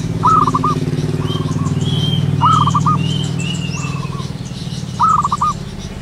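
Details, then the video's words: Local zebra dove calling in the wild at morning time: quick rolling coo phrases of staccato notes, with quieter answering coos, over a steady low rumble and faint high whistled notes of other birds. "burung perkutut lokal alam gacor penuh gairah"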